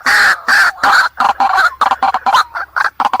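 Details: Harsh night lure calls of a white-breasted waterhen: loud, grating, broadband squawks at first, then breaking into quicker stuttering croaks and chattering bursts with no pause between them.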